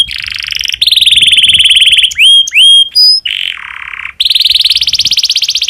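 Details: Domestic canary song in breeding condition, intended to stimulate other canaries: buzzy rolling tours broken by a few pure sweeping whistles, ending in a fast high trill.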